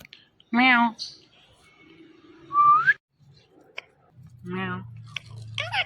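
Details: Indian ringneck talking parrot: a loud buzzy, warbling syllable, a clear upward-sliding whistle, short ticks, then another harmonic voiced burst and a final chirpy note over faint low background noise.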